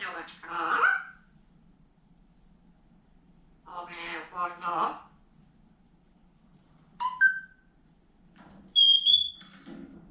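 A grey parrot gives two hoarse, speech-like phrases a few seconds apart, then a short rising whistle and a clear high whistled note.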